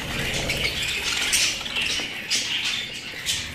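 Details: Pet budgerigars giving continuous harsh, buzzy chatter mixed with high chirps, with louder scratchy bursts every second or so.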